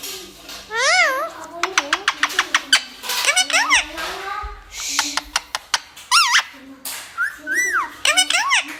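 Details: Talkative parrot at home mixing rapid clicks and squeaks with rising-falling harmonic calls, people talking softly in the background.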